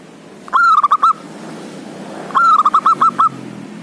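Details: Two phrases from a vocal local male zebra dove, calling out a rival and used to prompt reluctant birds: each a quick staccato series of round, even cooing notes, separated by a second of near silence.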